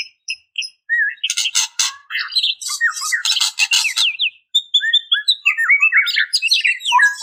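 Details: Female white-rumped shama calling males, a lure sound: sparse short chirps at first, then harsh buzzy rasps mixed with quick whistled slurs, followed by a busy string of rising and falling notes.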